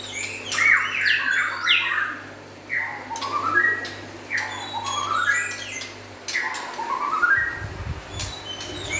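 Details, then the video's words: Energetic song from a white-rumped shama of local and forest type: loud rising whistled phrases repeated every second or two, mixed with chirps and sharp clicks. "Meriah nya Suara Murai Batu LOKAL Dan Hutan"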